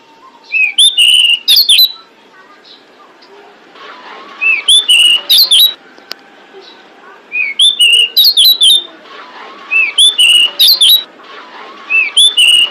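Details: Female pied bushchat uttering calls that lure males: five short clusters of piercing, twisting whistled chirps spread through the recording, separated by brief lulls with low background noise.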